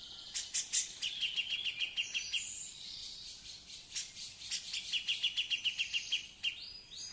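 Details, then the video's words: Singing female Grey-cheeked Bulbul, a hen that has already laid eggs, delivers two rapid chattering trills of high repeated notes separated by louder sharp chips and a few clear whistles, with a light background hiss. "Cucak Jenggot cewe / betina gacor udah pernah buang telor"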